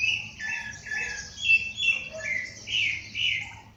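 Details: Songbirds calling at dawn outdoors, a sequence of loud whistled notes and short warbles about every half second, some rising, some dropping, with high thin twitter behind and a faint low hum.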